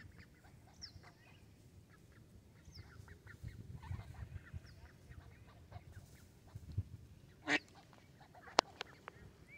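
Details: Young mallards on the shore of Varistonlampi pond in Vantaa, Finland, give soft, scattered high peeps and short chatters over a low rumble, with one louder squawk and a sharp knock near the end.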